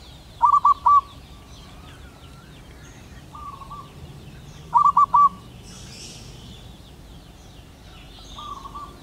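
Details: A wild male zebra dove calling to a female gives bursts of three soft, rolling coos about four seconds apart, with fainter single coos between; faint chirping birds or insects in the background.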